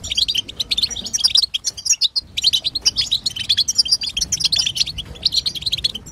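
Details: Female goldfinch twittering intended to trigger male goldfinch song: fast, sparkling chirps and short buzzes, briefly pausing near the two-second mark before resuming even denser.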